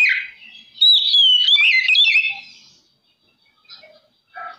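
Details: Oriental magpie-robin singing vigorously, meant to trigger other magpie-robins into song; a loud rapid stream of sliding whistles and chattering notes lasting about two seconds, followed by silence and a few faint scratchy notes.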